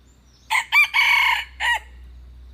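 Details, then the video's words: Single crow of a red junglefowl: short, short, long and harsh, then a clipped falling note; a steady low hum runs underneath. "tiềng gà rừng 100% suab qaib qhua zoo heev"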